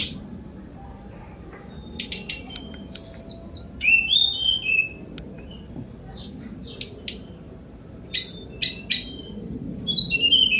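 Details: Sunda robin singing in scattered bursts: buzzy chatters, thin high whistles and downslurred notes, followed by sharp isolated ticks repeated several times, with a soft low rumble beneath.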